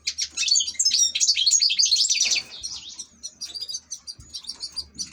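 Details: European goldfinch kept as an ornamental bird, singing a fast, dense twittering run of high, tinkling notes for about two seconds, then breaking into softer, scattered chirps.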